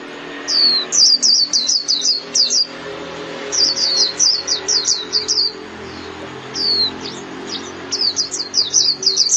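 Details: Japanese white-eye calling its flock with repeated quick phrases of high, sharp, down-slurred chirps, several bursts over the recording, over a faint low hum in the background.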